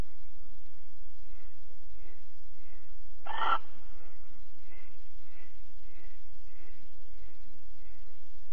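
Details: Barn owl at 21:37 on 22 April 2020 in Alphen, during mating and cuddling: one loud, hissing burst midway, surrounded by faint, soft repeated notes and a low hum.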